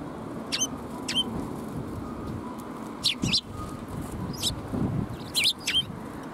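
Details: Sparrows coming to be fed at a Tenmangu shrine on 13 March 2021; short, sharp chirps at irregular intervals, some in quick pairs, over a steady low background rumble.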